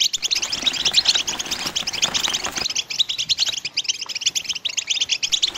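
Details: Mating song of a European goldfinch in the betbta and stsesta styles, a busy stream of bright, ringing chirps and rattling trills at high pitch, with a sharp change in background partway through.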